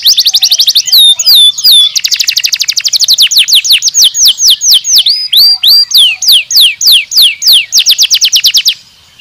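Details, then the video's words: Canary singing a long, unbroken song of rapid repeated trills, fast downward-sweeping notes and a few clear whistled slides, loud and high-pitched, ending abruptly. "Boas nozes, longa duração da mesma canção"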